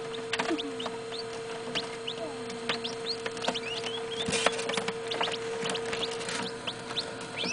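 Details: Northern bobwhite chicks, about quarter-sized hatchlings from a batch of 27, kept indoors at night. Thin, high rising chirps scattered among frequent taps and handling clicks, with a steady low hum underneath.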